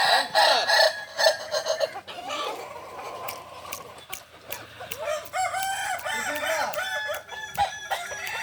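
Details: Crowing practice of Kokok Balenggek chickens in Ampang Kualo, Solok: buzzy crowing early, a noisier stretch with clicks, then a clear series of stepped, terraced crow syllables toward the end.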